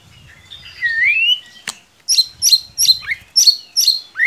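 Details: White-rumped shama lure song, played to stir a quiet bird into singing: a long rising whistle, then a sharp crack and a string of emphatic high chirped notes repeated about every half second.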